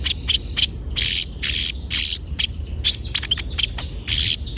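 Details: Lively Javan white-eye singing as a training lure for untrained birds; dense bursts of harsh high chips and short rattles in uneven clusters, with a constant high-pitched whine underneath.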